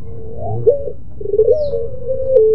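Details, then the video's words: Barbary dove, pelung type, delivering its plaintive moaning song: broken coo notes lead into a long, smooth tone that falls slightly in steps, with steady low hum behind. "SUARA MERINTIH BURUNG PUTER PELUNG !!! TANGISAN SI PELUNG ll SUARA BURUNG PUTER MERDU"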